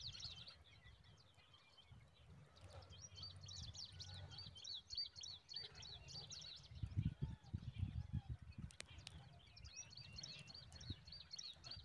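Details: A zitting cisticola parent feeds a huge mantis to newborn babies at the nest; bursts of rapid high chirping start and stop, separated by quieter gaps, with a brief click and low rumbles.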